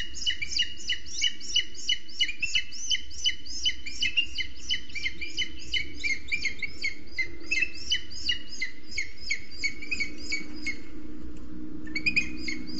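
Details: Booted eagle nest in a Scots pine, Sierra de Guadarrama National Park, Spain, where the female feeds a newly hatched chick and the male delivers lizards; fast, steady series of thin high piping notes, about three per second, pausing briefly near the end.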